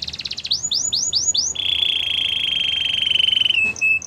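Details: Canary singing a training song: a few high, upward-swept whistled notes in quick succession, then a long, steady rolling trill held for about two seconds, closing with a short, lower stuttered phrase.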